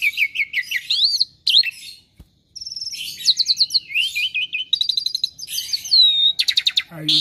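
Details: Pet Asian pied starling, described as never quiet and good at copying other birds, delivering a lively medley of repeated whistled notes, rapid chirp trills and rising and falling slurred whistles after a short pause.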